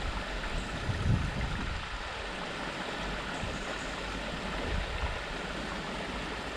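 Steady rushing water, like a stream or flowing current, fills the whole recording with broad, continuous noise and a deep low rumble.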